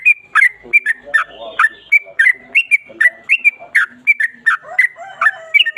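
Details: Continuous chattering whistles from a Yellow-vented bulbul in 'ropel panjang' style: crisp downslurred notes strung rapidly together, occasional short flat whistles between them, with no pauses.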